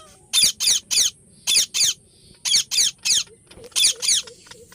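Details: Ringneck parrot calling with strident, rasping screeches in quick groups of two or three; soft low hooting notes of another bird near the end.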